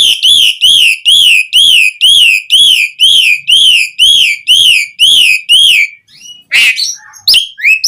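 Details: Asian pied starling song to prompt captive birds to sing: a steady series of about twelve identical arched whistles, two per second, then a harsh burst and a few squeaky chirps.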